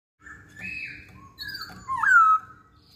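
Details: Masked laughingthrush song, used as a lure to make other songbirds join in singing: short whistled phrases, a level note then a louder downslurred whistle near the end, with a faint steady hum underneath.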